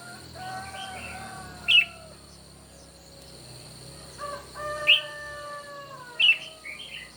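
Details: Red-whiskered bulbul in a morning singing contest: three sharp whistled phrases spaced a few seconds apart. Each is preceded by sustained, smooth, slowly falling lower tones. A constant high hum runs throughout.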